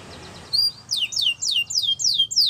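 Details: Canary training song: a short thin whistle followed by six loud sweeping notes that fall in pitch, repeated about every third of a second.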